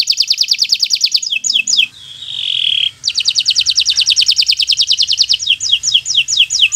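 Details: Green local canary pouring out rapid rolling trills of repeated sharp notes, broken by a brief harsh buzzy burst, then more fast chopped trilling; a song meant as a master for birds learning to sing.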